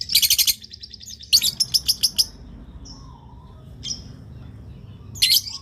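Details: Lovebird call used to prompt other lovebirds to answer; bursts of shrill, rapid high chirps in fast trains, a pause, then another sharp burst near the end over low background hum.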